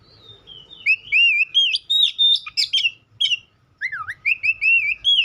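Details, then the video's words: White-rumped shama (kacer) singing: varied clear whistled phrases, wavering and sliding notes with sharp chips, delivered in quick bursts after a quiet start. "Dengar kicauan Kacer satu ini dijamin langsung nyaut Kacer manapun"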